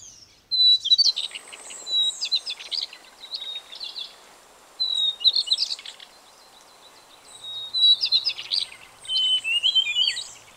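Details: A White-browed Shortwing (subspecies goodfellowi) recorded 6 February 2020 in Taichung, Taiwan, sings short, high phrases, each a thin whistle tumbling into a quick jumbled warble, repeated every two to three seconds over soft hiss.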